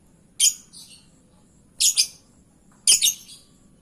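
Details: Lovebird lure call meant to draw an answer from other lovebirds: three shrill, harsh double chirps, each followed by a softer trailing note, spaced about a second apart over quiet background.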